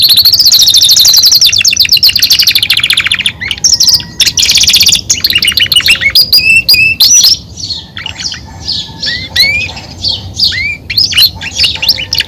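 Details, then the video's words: Belgian canary, a caged male, singing a loud, fast, varied song of rolling trills, sweeping whistled notes and rapid chirps, mostly high-pitched, continuous throughout with short bursts and slides in the second half. "canto do canario belga"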